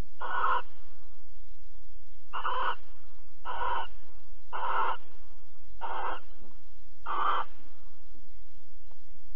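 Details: Barn owls at Alphen on 22 April 2020 at 21:37, mating and cuddling; harsh, broadband hissing screeches, each about half a second long, repeated six times at uneven intervals of one to two seconds over a steady low hum.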